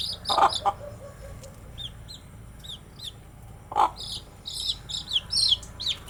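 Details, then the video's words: Cute baby chicks during daily activity: a few high falling peeps and a lower cluck open, then soft scattered chirps before a busier cluster of overlapping high peeps near the end. "Cute Baby Chicks with chirping sound"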